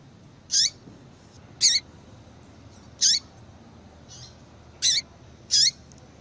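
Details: Six sharp, high chips from a female yellow-bellied seedeater, a call meant to stir the male into song. Each note is brief with a falling tail, spaced unevenly about a second apart, with a softer note between.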